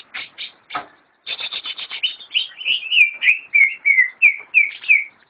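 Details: Greater green leafbird, locally cucak ijo, a caged bird in a friend's collection: a few sharp chirps, then a quick rattling series that turns into clear downslurred whistles repeated about three times per second.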